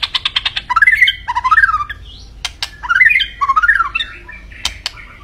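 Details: White-rumped shama (murai batu) singing: a fast series of sharp pulses, then warbled rising and falling whistled phrases, repeated after a pause, with occasional loud clicks.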